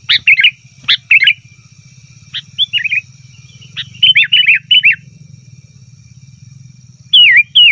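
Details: Sooty-headed bulbul in noisy 'ribut' calling, used as a lure for wild bulbuls in forest: short bubbly chirps in bursts with silent gaps, over a steady low hum and a thin high tone.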